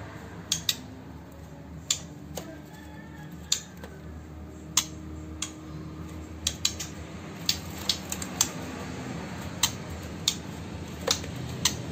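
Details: Sharp metallic clicks and taps, like scissors or cutlery, sound at irregular intervals over a low indoor hum, with no clear animal voice.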